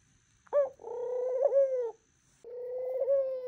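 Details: Two drawn-out coos from a pet dove in the morning, the first preceded by a quick rising pip, each a smooth even tone of a little over a second with a tiny dip midway.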